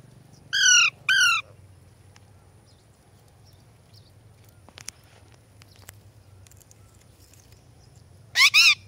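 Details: Pet Ringneck and Alexandrine parakeets kept together. Two harsh, rasping squawks come close together near the start. After a long quiet stretch with faint clicks and low hum, a third squawk follows.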